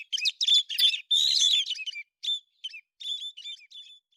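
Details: In September 2020, a bird locally known as héc xoan sings a loud burst of tangled high twittering that thins into separate short chirps and slurred notes, spaced unevenly toward the end.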